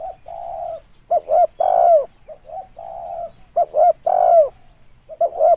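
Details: Spotted dove calling, meant as a lure: soft drawn-out coos alternate with loud three-note phrases that end in a falling coo, repeated through the recording.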